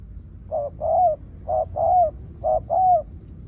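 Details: Decoy spotted dove cooing to draw in wild field birds: three clear two-part phrases, each a brief note followed by a drawn-out, slightly arching coo, evenly spaced, with a steady high-pitched tone in the background.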